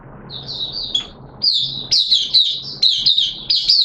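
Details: Mata puteh, the oriental white-eye, caged as a hobby bird in wet weather, sings a few soft high notes, pauses, then breaks into a fast, loud string of sweet warbling phrases.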